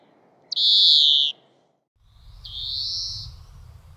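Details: European greenfinch from Córdoba giving two drawn-out, buzzy wheezes. The first is loud and slightly falling, and a softer one follows after a pause, with a low rumble of background noise beneath it.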